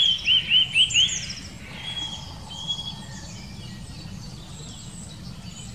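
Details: Eurasian nuthatch in the Wittlicher Senke: four clear whistled, rising-then-falling notes repeated quickly within the first second, followed by faint distant high chirps over a steady low background rumble.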